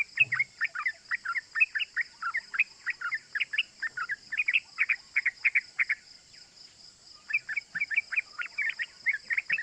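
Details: Sooty-headed bulbul (trucukan) giving a lively, rapid 'cuk cuk' lure song meant to excite other bulbuls into singing: fast chattering bursts of short chirps, about four per second, with a brief pause midway, over a steady high insect-like hum.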